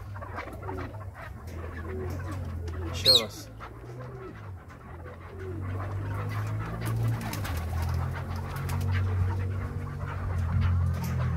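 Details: Chukar partridge in Krasnoyarsk, calling as its owner urges it on: a quick run of low, throaty clucking notes over steady indoor hum, with a man's encouraging voice and one sharp, loud burst partway through.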